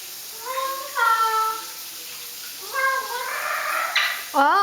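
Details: One-year-old pet Solomon Island eclectus parrot, asked to sing a song, gives two warbling, tune-like phrases swooping up and down in pitch, followed by a woman's praise in a small room.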